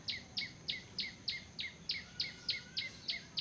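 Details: Bar-winged prinia lure call for bird trapping: a quiet series of sharp, high ticking notes, about three each second, very even in rhythm, over a constant hiss of background noise.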